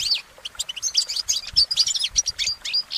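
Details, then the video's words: Goldfinch song recorded in nature: a rapid, busy twitter of high chirps, buzzy fragments and sharp whistled notes, tumbling out in an unbroken flow about a hundred times a minute. "Exceptional recordings of the goldfinch in nature"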